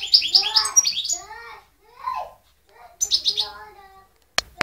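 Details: European goldfinch (Carduelis carduelis), song.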